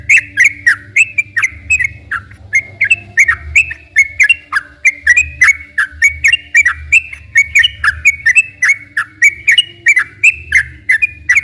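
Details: Long rolling song of a yellow-vented bulbul, played to stimulate quiet or stressed caged bulbuls into singing: a dense run of short sliding whistled phrases, tumbling up and down without pause, over a faint low hum.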